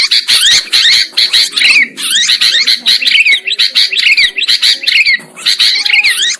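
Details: Lure sound for trapping sooty-headed bulbuls, with a dense flock chorus of raspy chirps and rising-falling whistled slurs in repeated bursts, nearly continuous.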